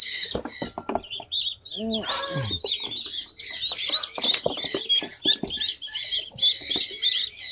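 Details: A group of restless ducklings, just caught and carried in a basket to a duck setup with fresh water for their first swim, give high, thin, overlapping peeps, several each second, with a brief lower descending voice near two seconds.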